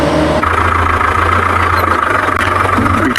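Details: A steady vehicle engine idles and rumbles throughout, with no animal calls heard.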